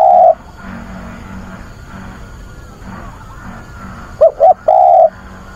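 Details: Spotted dove decoy calling to find a mate, 24 August: a long coo opens, followed by about four seconds of soft low humming background, then a full phrase of two short coos and a long sustained coo.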